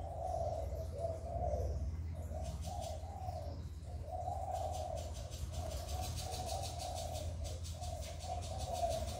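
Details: Spotted dove cooing, recorded to stimulate newly kept doves: soft, hollow coo phrases repeated in short bursts with brief gaps, over a steady low hum and faint pulsing ticks.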